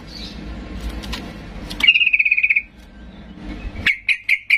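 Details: Sooty-headed bulbul, a vocal bird singing in an agitated, provoking manner to draw silent birds into answering; a brief run of rapid chirps near the middle, then several sharp repeated notes at the end, over faint background hum.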